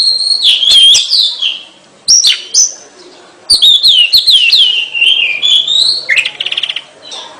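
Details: Kacer, the Oriental magpie-robin, in full gacor song: loud wavering whistles slurring up and down, a long run of descending warbled notes, and a short rattling trill near the end.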